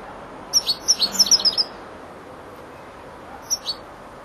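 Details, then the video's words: European goldfinch aged four months, learning to finish its song: a quick run of about eight bright, high chirps lasting one second, silence, then two more short tweets. "jilguero el estudiante rematando"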